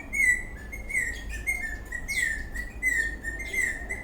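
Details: A happy, dancing eastern rosella keeps up a continuous chatter of short whistled chirps, each note slurring up or down, run together with little pause.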